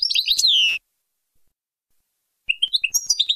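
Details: European goldfinch Baynam Ghazarat song for teaching young; a brief twittered phrase ending in a long downward slur, silence, then rising chirps resume.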